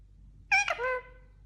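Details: Indian ringneck parakeet, described as a talking parrot, gives a single short harmonic utterance of about half a second: a bright, strained onset that slides down into a fading nasal tail, with a quiet background.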